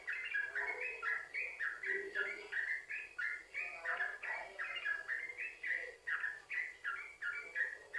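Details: Yellow-vented bulbul singing a fast, chattering series of fluty notes with steady rhythm, used to lure other bulbuls to sing; faint lower murmurs underneath.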